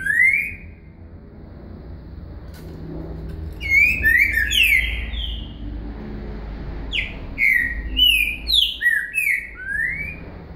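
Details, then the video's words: Green-winged saltator singing its Boca Mole song with a virada, in bursts of clear whistled, slurred notes, some rising and some falling, with a short phrase first and longer runs later, over a low rumble of vehicle noise. "Trinca Ferro Boca Mole com Virada"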